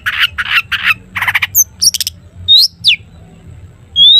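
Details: Long-tailed shrike in lively full song of the 'toet toet' style, used to prompt other shrikes to sing: four buzzy, harsh bursts, then sharp chips and upslurred whistles rising steeply, with a low hum underneath.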